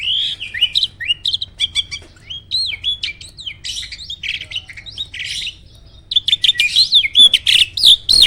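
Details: Contest-winning starling in captivity pours out a rapid medley of swooping whistles, clicks and chattering notes, pausing briefly before a dense, scratchy burst at the end.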